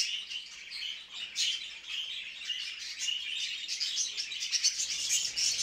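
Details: Budgerigars heard during mating, a flock's busy, high-pitched twittering and chirping that runs on without pause, rising slightly in intensity toward the end.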